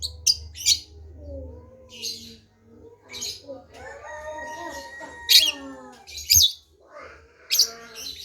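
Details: Long-tailed shrike giving scattered harsh, scratchy bursts spaced about a second apart, mixed with softer wavering lower tones and a continuous low hum.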